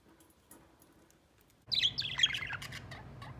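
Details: Three budgerigars playing together and behaving affectionately; after a quiet first second and a half, a sudden burst of rapid, high, scratchy chirping and warbling chatter, with overlapping notes running to the end.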